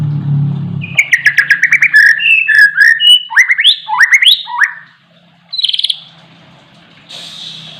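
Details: Oriental magpie-robin in full, varied song: a low thump, then rich whistles, buzzy trills and rising slurred notes in quick succession, ending with two short high bursts after a pause.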